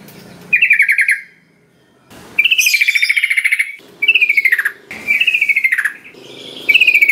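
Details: Sooty-headed bulbul lure recording used to prompt lazy birds into singing: four bursts of fast pulsed notes near the same pitch, some falling at the end, separated by short pauses with a faint low rumble.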